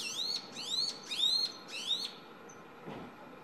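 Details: Young Brown-eared Bulbul singing on an electric wire in front of a house, about 6–7 m away, filmed on a digital camera: four loud, upward-sweeping whistled notes in quick succession over a steady low hum from camera or air-conditioning.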